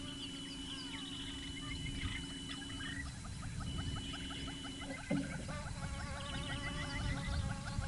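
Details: A Southern Yellow-billed Hornbill gives a rapid, cackling series of hollow clucks in the background, with go-away birds and a Woodland Kingfisher also calling, in African bush in the morning.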